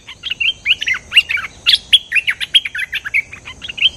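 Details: Cream-vented bulbul lure song: a busy chatter of short, clear chirps and quick slurred notes, repeated several times a second with brief dips in loudness.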